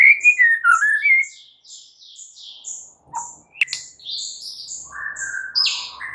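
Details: Morning song of a White-rumped shama, a varied run of warbling, sliding whistles and chirps that breaks into brief pauses, then lower fluty notes, over a steady high ticking pulse.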